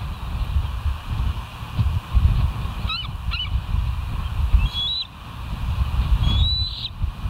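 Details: Bald eagle at West End, 27 August 2023, 07:00, on a live nest camera: a few short high chirps, then thin rising whistled slurs, partly buried under steady low wind rumble.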